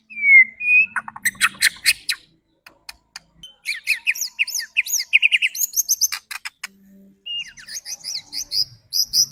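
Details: White-rumped shama singing as a lure to rouse other birds: a sweet downslurred whistle, a burst of sharp clicks, then sequences of rapid high chirps and trilled notes with brief silences.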